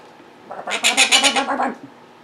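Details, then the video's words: Pet monk parakeet indoors, vocalizing while its owner works at a computer, gives a tight run of about seven harsh, nasal squawks that ripple up and down, lasting roughly a second. "Quaker Parrots Being Very Vocal and Mimicking"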